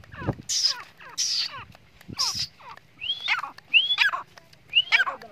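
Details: Grey francolin in a fight, one bird chasing another: harsh, scratchy broadband bursts give way to loud, sharply rising, hooked whistled notes about once a second, over a faint low hum.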